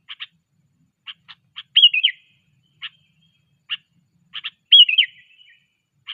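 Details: Sooty-headed bulbul being trained, 'cengkram' style: short bubbly whistled phrases dipping and rising, given twice, between scattered sharp dry ticks in an otherwise quiet setting.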